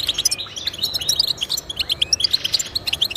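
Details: Short burst of European goldfinch song: quick, rhythmic high chirps and tinkling notes tumbling one after another with barely any pause, over light hiss.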